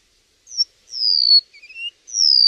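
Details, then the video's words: Songbird giving high, clear whistled notes: a short slurred note, a long descending whistle, a brief lower rising phrase, then another long falling whistle, with silence between notes and no other sounds. "Chim kéo đờn"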